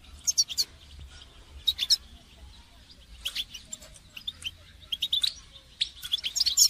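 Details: Goldfinch song in bursts of high chirps and twitters separated by short pauses. The phrases grow busier toward the end, over faint low background hiss. The recording is meant for training songbirds.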